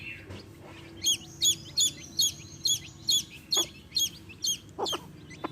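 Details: Baby chicks beside a hen chirping loudly: a run of about a dozen piercing, falling peeps at a brisk regular pace after a short quiet start, with scattered taps in the background.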